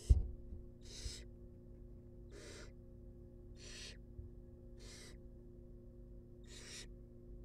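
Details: Young wild barn owls being fed in a nest box give six soft, airy rasping snores about every 1.3 seconds, after an opening thump, with a low hum throughout.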